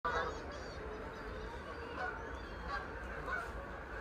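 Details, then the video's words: Mass flyover of Canada geese recorded on an iPhone 13 Pro: a dense, continuous chorus of overlapping nasal honks from many birds, layered with a steady background rumble. "CANADA GOOSE | BRANTA CANADENSIS | MASS GEESE FLYOVER"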